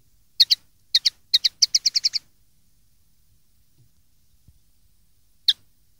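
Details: Common linnet song made for teaching young linnets to sing, 2013 recording: clipped paired notes, then a quickening run of about eight sharp twittering notes, with one lone chip a few seconds later in quiet surroundings.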